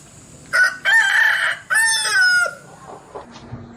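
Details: Bangkok chicken crowing oddly: one hoarse, raspy crow in two loud parts, the second ending in a drawn-out, falling tone, followed by faint clucks and background noise.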